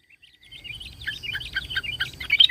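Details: Sooty-headed bulbul in lure song to draw other bulbuls. Soft whistled notes build into a busy, twittering stream of slurred chirps that grows louder toward the end.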